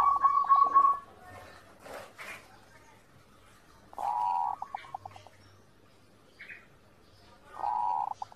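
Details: Zebra dove master audio for training birds to sing, with three separate bursts of mellow, fast-repeated cooing notes spaced several seconds apart. Sharp clicking noises and a brief higher chirp occur between the phrases.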